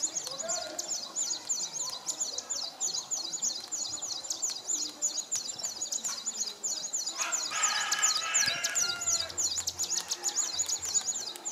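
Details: A displaying male São Tomé prinia at Nova Moca, São Tomé, on 19 January 2019 sings a rapid, high, buzzy trill of repeated notes, about three per second, with other birds chirping lower down.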